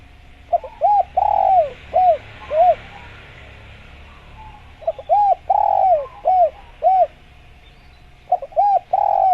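Spotted dove giving soft, hollow coos in phrases of about five notes, with the longer third note drawn out; phrases repeat every few seconds over faint background hiss.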